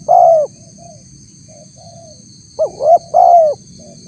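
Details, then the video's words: Spotted dove calling to lure wild doves: a long falling coo, faint distant coos in the pause, then a full three-note phrase of two rising notes and a drawn-out coo, over a constant whine. "suara tekukur PALING DI CARI untuk memancing respon tekukur liar"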